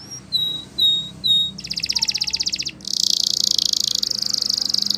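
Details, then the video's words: Spanish Timbrado canary song for training: three drawn-out whistled notes, then a pulsed rattling trill and a long, dense, fast buzzy trill over faint background hum. "Canary Singing CHAMPION For Training | Spanish Timbrado Song"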